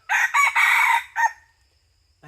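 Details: Red junglefowl crowing, recorded during junglefowl hunting in 2022-2023: a loud crow of three harsh, close-set syllables and a shorter fourth that fades out, followed by silence and a brief low sound at the end.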